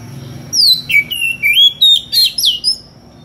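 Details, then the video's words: Magpie-robin in full voice, calling a rival with unusual variations: a rapid string of bright whistled notes, some sliding down, others sharp and clipped, running about three per second, with a faint low hum behind. "SUARA KACER NGEPLONG MEMANGGIL LAWAN DENGAN VARIASI SUARA ANEH"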